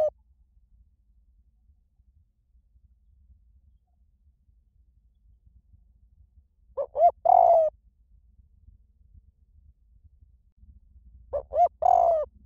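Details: Spotted dove cooing in the small-voice style, played to lure doves and train decoy birds to answer; two phrases about five seconds apart after a long quiet stretch, each two short mellow notes and a long, steady, slightly falling coo.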